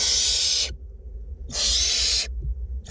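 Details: Two owlets of the barn owl, fed in a nest box in north Glasgow, give two long, broad, wheezing hisses separated by a pause, the start of a third cut off, over low rumble.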